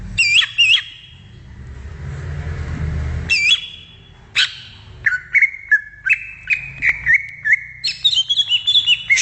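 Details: Greater green leafbird in the wild, a couple of loud slurred whistles, then a hissing noisy pause, followed by a run of quick whistled notes that step down and then rise again, with a faint low rumble.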